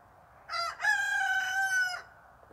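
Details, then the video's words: A Barnevelder rooster crows once for about a second and a half: a short opening note, then a long, steady, slightly falling cry. "Barnevelder rooster crowing chant du coq"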